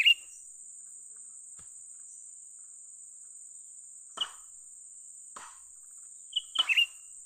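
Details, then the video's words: Bird trapping of a young cucak ranting bulbul: a clipped chirp opens, sharp dry clicks or knocks follow at intervals, then a fast chirping phrase of several high notes near the end. A steady high whine persists. "memikat burung cucak ranting muda mantap"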